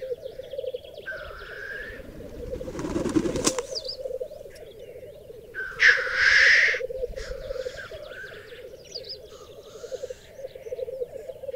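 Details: ['Displaying black grouse males at a lek with females on a raised bog in the Berezinsky Biosphere Reserve; constant throbbing bubbling chorus punctuated by several loud, rushing hissed sneezes and a burst of wingbeat-like noise.']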